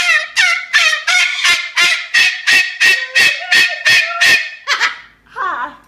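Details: Pet male Moluccan cockatoo calling: a loud, raspy, honking note repeated rapidly about three times a second, a dozen in a row, then a softer wavering squawk at the end.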